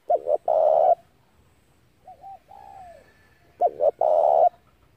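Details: Spotted dove coos meant to stimulate wild doves for trapping: two loud phrases of double short notes and a long coo, with a softer, lower coo sliding downward between them.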